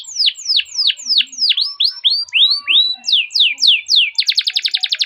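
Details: Canary song used to train canaries: repeated loud downward-sweeping whistles, some rising slurs in between, then a fast pulsing buzzy trill at the end.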